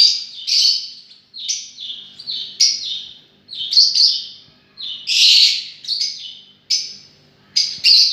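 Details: About a dozen loud, piercing lovebird squeals and chirps follow in quick succession, each brief and harsh, from birds said to be enjoying themselves, with a faint low hum behind.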